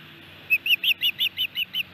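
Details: Osprey male at a nest in Hellgate Canyon, Missoula, Montana, feeding his chicks on June 8, 2018, recorded by a nest camera; a series of eight high, whistled chirps, evenly spaced and rising then falling slightly in pitch.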